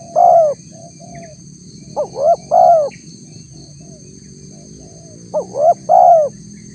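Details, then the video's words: Spotted dove lure call used to provoke a response from wild doves: three cooing phrases, each a short rising note or two followed by a longer, falling, mellow coo, with long pauses between and a steady high whine behind. "suara tekukur PALING DI CARI untuk memancing respon tekukur liar"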